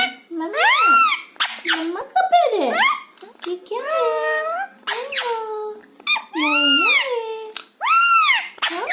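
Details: Pet parrot chattering indoors, saying words such as 'Mumma', 'Maa' and 'Ha' and answering its owner. Rapid run of rising-falling voice-like syllables, some hoarse and buzzy, with brief gaps between bursts.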